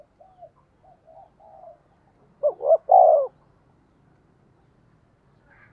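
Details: Spotted dove decoy bird calling and cooing to lure wild doves: soft low coos, then a loud three-part phrase of two short rising notes and a long drawn-out coo near the end.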